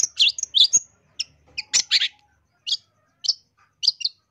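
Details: Long-tailed shrike singing on a tutoring and lure recording: a quick cluster of loud high chirps and buzzes, then sparser single sharp notes spaced about half a second apart. A faint steady low tone runs underneath.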